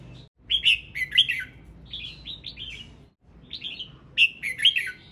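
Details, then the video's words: Male red-whiskered bulbul singing repeated bright whistled phrases, each a quick tumbling series of warbled notes, three bursts separated by short gaps, with faint low hum beneath. "Tiếng chim chào mào trống hót"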